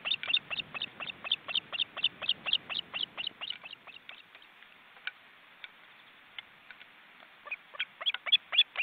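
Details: Osprey chicks, almost adult-sized, in a nest with their parents in an Estonian forest reserve, seen on a live webcam. Rhythmic high chirps run for three seconds, thin out to sparse notes, then resume loudly.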